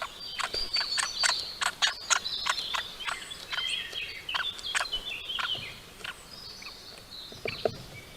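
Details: Male great spotted woodpecker with a youngster at a bird feeder, 22 May 2022: sharp, clicking notes struck irregularly about 95 times a minute over a steady bed of high, busy twittering and chattering.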